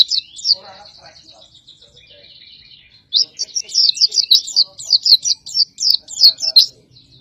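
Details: Dakun-type oriental white-eye song used for master training of competition birds. It opens with a soft, lingering thin trill, a short pause, then a loud run of quick, bright, high chirps repeated several times a second.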